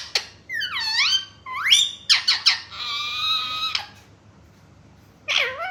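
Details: Talking pet parrot said to call out mummy and papa. Loud swooping, voice-like phrases are followed by a sustained buzzy note. After a pause, one last curling call sounds.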